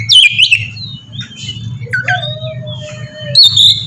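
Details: Oriental magpie-robin in melodious 'ngeplong' song, used to prompt other magpie-robins to sing: loud whistled slurs and twisting phrases, a long level low whistle, over a steady low hum.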